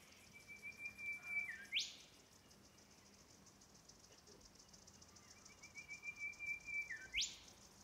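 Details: Male Golden Whistler singing along the Popes Glen Walk, Blackheath, Blue Mountains, NSW: two phrases several seconds apart, each a series of even high whistles dipping briefly then snapping up into a sharp whip-like ending, with faint insect hum behind.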